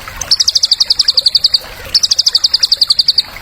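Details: White-rumped shama song used to stimulate young birds: two fast, even high trills of about fifteen bright pulses each, separated by a brief pause, over faint background noise.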